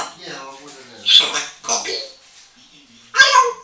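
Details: Female African grey parrot, eight years old, a pet chatting away to herself in a bathroom; a short run of voice-like harmonic babble, then sharp hissy bursts with a small-room echo.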